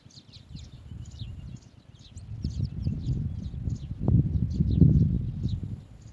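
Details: Asian green bee-eater parents carrying food to nestlings: many brief high chirps and trilled notes in rapid, uneven succession, partly buried under loud low rumbling and thudding noise that swells toward the middle.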